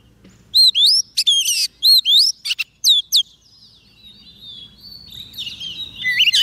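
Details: Oriental magpie-robin calling wild birds with a series of loud looping whistles and buzzy notes, followed by softer, quieter warbling and a final sharp upslurred whistle.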